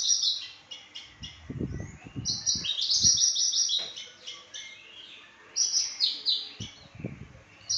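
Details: Papuan variety of Australasian bushlark singing: rapid runs of high, buzzy, chirping notes in dense bursts, pausing briefly then resuming, with low thumping knocks underneath.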